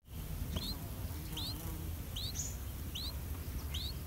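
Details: Three-day-old streak-eared bulbul chicks in a nest in a water jasmine tree in front of a house, begging as both parents feed them: thin high rising chirps, five spaced about every 0.8 seconds, over a low steady hum.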